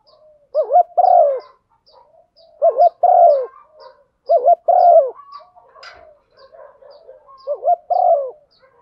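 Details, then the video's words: Female spotted dove stimulating a male with her coo, a call used to draw male birds: four low paired phrases, a brief wavering note and a longer slurred coo, about every two seconds, faint ticking behind. "Tiếng chim cu gáy MÁI kích trống, chim cu mái thúc gù"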